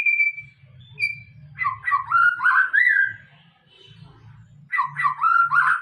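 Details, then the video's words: White-rumped shama in afternoon song: a clear high whistle held, repeated, then quick runs of rich warbled, slurred whistles in bursts, over a low rumbling background hum. "muraibatu bongkar isian di sore hari"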